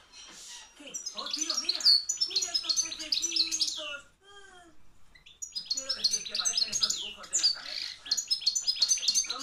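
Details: Hand-reared young European goldfinch from 2013, field type, singing strongly: fast twittering phrases of high sharp notes and liquid trills, a short break with a few lower slurred notes midway, then another dense burst.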